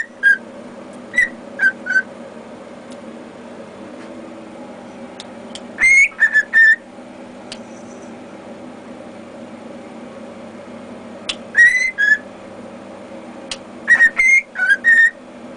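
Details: A pet cockatiel whistles Jingle Bells, with a hint of the Andy Griffith tune, in clear, bright phrases separated by pauses.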